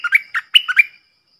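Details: Stripe-throated bulbul decoy bird singing, its song used to teach young birds to sing along and to lure wild birds; a quick burst of five liquid, warbled notes sliding up and down within one second, then silence.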